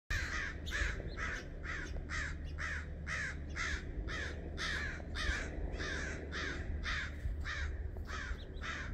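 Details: Crows dive-bomb a female red-shouldered hawk until she leaves, giving harsh, rasping caws in a fast run, about two each second, over a steady low rumble of wind or traffic.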